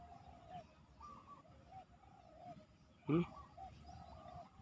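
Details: Spotted dove: a wild bird answering and challenging a decoy dove, giving soft, low hooting coos in short repeated phrases, with one sharp knock partway through.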